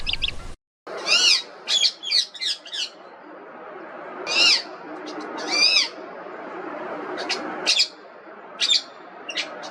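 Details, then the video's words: Indian ringneck parrot giving loud, harsh arched screeches, some single and some in quick bursts of three or four, separated by short pauses over a steady hiss of background noise. "Indian Ringneck Parrot Voice Raw, Real & Relaxing"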